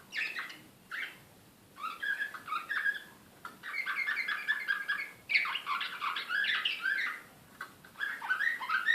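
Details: Serbian nightingale-style canary from Belgrade, 2016, singing varied warbling phrases of trills and rolling notes in bursts separated by short pauses.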